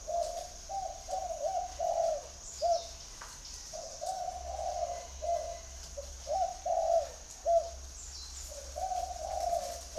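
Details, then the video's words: Spotted dove calling in a series of low hollow coos, clusters of short notes alternating with longer drawn coos, steady in pitch throughout, while a thin high tone and faint chirps sound behind. "chim cu gáy gọi"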